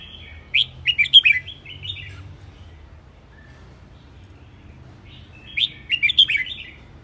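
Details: Decoy Red-whiskered bulbul singing aggressively while whirling about; two loud, fast, bubbling whistled phrases of several notes, about five seconds apart, with quiet between them.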